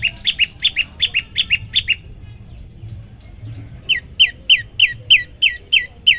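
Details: Yellow-bellied prinia singing as a master recording to rile other birds: a run of paired, ringing chirps that break off for two seconds, then a fresh series of bright, downward-flicking notes.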